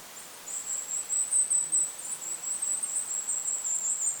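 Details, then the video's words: Goldcrest in lakeside forest with wind in the background: a sustained stream of very high, thin, rapidly repeated notes, pulsing and wavering without a break for several seconds over a soft hiss. "Goldcrest bird call in the forest! Goldcrest call with wind noise in the background."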